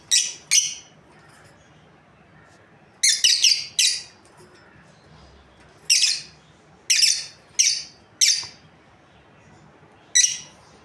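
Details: Breeding pair of lovebirds chirping shrilly, with a quick cluster of three or four calls followed by evenly spaced single high chirps about every second.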